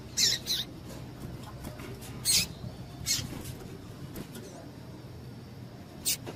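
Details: A female double-collared seedeater calling to excite males gives a paired high scratchy note, then single sharp chips spaced over several seconds, with low background rumble.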